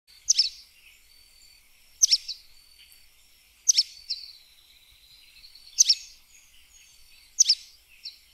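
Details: Sooty tyrannulet (joão-pobre) singing: sharp, high, clipped notes with a quick stuttered burst, repeated about every one and a half to two seconds, with faint thin whistles between phrases.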